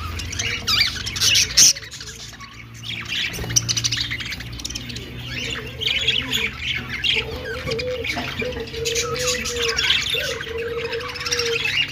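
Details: Many budgerigars in a breeding colony chatter together in a dense, continuous wash of squawks, chirps and warbles.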